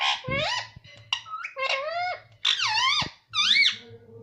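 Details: Pet parrot mimicking speech, with a series of squeaky, nasal, warbling utterances in short bursts and a rising-falling voice, apparently saying "mummy", in a small indoor room.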